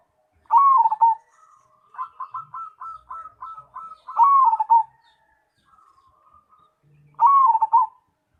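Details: Active song of a Cemani zebra dove: three strong rolling coo phrases, interspersed with a run of about eight quick, evenly spaced, stuttering coo notes and softer trills.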